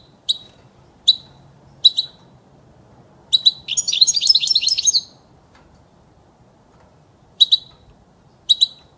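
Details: European goldfinch singing for the training of young birds: a string of high, evenly spaced chirps builds into a rapid, liquid tinkling trill of about a second and a half, then more paired chirps follow.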